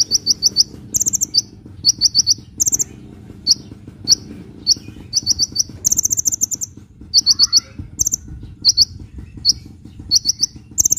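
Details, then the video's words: Sunbird in vigorous song, intended to lure birds and prompt silent ones: fast trills of high tinkling notes alternating with even higher sharp bursts, plus a short lower whistle mid-clip and steady background noise. "SUARA BURUNG KOLIBRI GACOR‼️ [bisa buat pikat & yg males bunyi"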